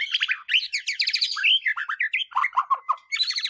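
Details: White-rumped shama song meant to goad other birds into singing: a continuous stream of fast chattering, buzzy and whistled notes shifting rapidly in pitch, dropping lower midway before a bright high burst at the end.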